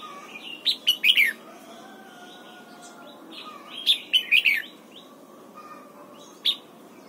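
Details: Morning song of a red-whiskered bulbul trained toward the double-note wild style. Two bursts of rich, warbling notes, a single sharp note near the end, and softer chirps from other birds between them.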